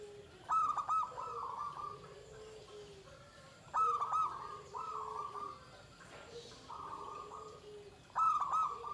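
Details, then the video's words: Pendowo Mijil zebra dove giving its shrill 'ke tek kuk' song with a drawn-out close: three loud stuttering phrases about every three to four seconds, each trailing into long, even cooing tones, with a quieter lower coo between. "Suara Perkutut Pendowo Mijil klare ke tek kuk Melengking Nibakne"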